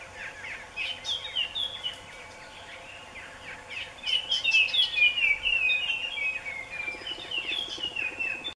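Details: Calls of a male scarlet minivet: bright, high whistled notes repeated fast in a falling, wavering sequence, loudest mid-clip, with faint chattering from other birds.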